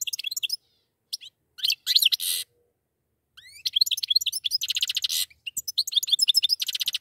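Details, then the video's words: A pair of goldfinches: bursts of high twittering and buzzy rasps, a brief pause, then a sustained run of rapid chirping notes. "زوجان من طائر الحسون"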